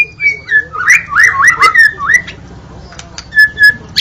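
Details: White-rumped shama, Indonesia, giving a short run of looping whistled notes that rise and fall, then a quiet pause and two clear level whistles.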